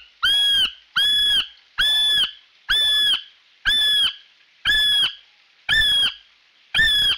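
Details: Male kiwi calling loudly at close range by the Rangitane Stream: a series of eight shrill, piercing whistles, each slightly rising then level, roughly once a second, with quiet gaps between and a faint distant whistle behind.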